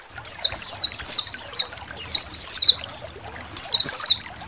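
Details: Colony of white-eyes with trickling water, kept as a songbird training recording: short, bright, downward-sliding high chirps in clusters of two, with brief pauses between groups.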